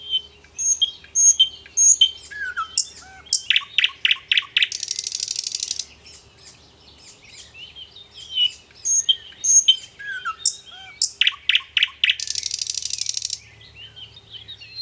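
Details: A thrush nightingale (Luscinia luscinia) sings in spring, loud phrases of pure whistles, sharp clicks and dry, buzzing rattles.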